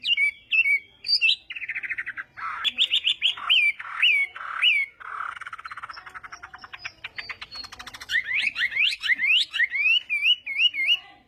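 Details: Chinese hwamei in morning voice-training song: loud looping whistles broken by rasping buzzy stretches and rapid clicking trills, then a fast string of rising and falling whistled notes.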